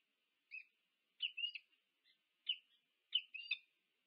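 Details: Two peregrine falcons meeting at the nest, UC Berkeley, USA, 2 November 2022, nest camera; scattered short chirps, some doubled or tripled into quick slurred groups, with pauses between.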